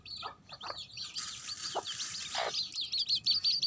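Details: Mother chicken with baby chicks: high chirping peeps from the chicks and a few low clucks, partly covered by a burst of hissing noise in the middle before the peeps return clearly.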